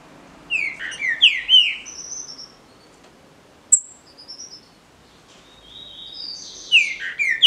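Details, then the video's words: Green-winged saltator in a singing contest between captive-bred birds: two bursts of loud, rich whistled phrases of slurred, falling and rising notes, separated by a pause with thin, high sustained notes and a quiet background. "DISPUTA DE CANTO (TRINCA FERRO)"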